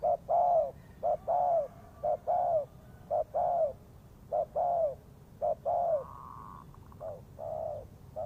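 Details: Spotted dove used as a lure when trapping birds, cooing continuously: quick short coos then a sustained falling coo, phrases following one another almost without break, with a faint steady tone in the middle.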